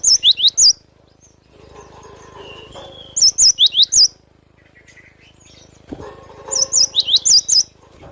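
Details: Three bursts of lively cinereous tit song, each a rapid cluster of five or six high, wavering whistled notes, separated by pauses of about two seconds with faint background hum.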